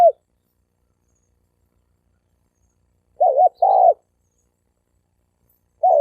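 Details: Challenge between fighting male spotted doves. One clear two-part coo, a wavering short note followed by a rougher sustained coo, sounds after a long silence. A fragment of another coo starts and ends the clip.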